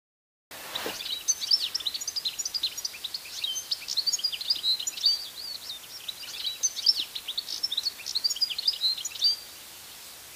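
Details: European goldfinch (Carduelis carduelis) recorded in the wild, singing a fast, continuous run of bright tinkling twitters and liquid trills, high-pitched and unbroken for about nine seconds.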